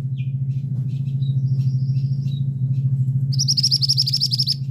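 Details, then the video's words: Male scarlet minivet giving its 'teriakan' (shrill cry): a few faint, thin high notes early on, then a quick run of bright, high chirps repeated rapidly for the last second, over a steady loud low hum throughout. "'Teriakan' Burung Mantenan Jantan"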